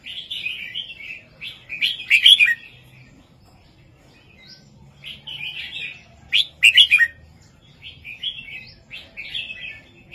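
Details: Caged red-whiskered bulbul sings a southern 3-4-5 master song to rouse other caged birds: chains of bubbly whistled phrases with two loud, rapid bursts about four seconds apart, separated by a quiet pause.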